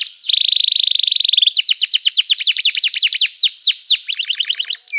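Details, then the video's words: Domestic canary in lively 'gacor' song meant to spur other canaries into singing: a fast, even buzzy trill, then a run of loud, sharp, descending whistled sweeps repeated several times a second, ending in quicker chips. "Kicauan Kenari Gacor Bikin Nyaut kenari lain || Gacor Cuit Cuit emosi"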